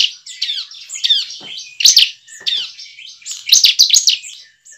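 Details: Bar-winged prinia, recorded as a lure to make caged birds sing eagerly, giving a continuous run of high chirps, slurred descending notes and loud rapid trilled clusters, fading out at the end.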